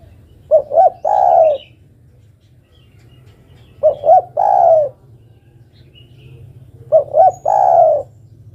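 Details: Female spotted dove calling to the male: three low cooing phrases, each two short rising notes followed by a longer drawn-out coo, repeated about every three seconds over a steady low hum.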